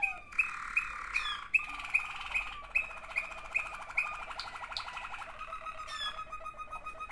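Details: Two brother Waterslager canaries: sharp repeated notes punctuate a continuous low rolling, gurgling trill, which shifts to a steadier sustained tone toward the end.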